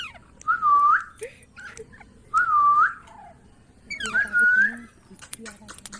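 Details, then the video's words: Ringneck parrot whistling a smooth, dipping phrase three times at roughly two-second intervals, the last one longer and more level. "Parrot Talking |Ringneck parrot sound"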